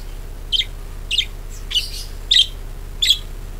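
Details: Budgerigar chirps for luring other birds into song: five short, bright, slightly buzzy chirps repeated roughly every 0.6 seconds against a quiet low hum.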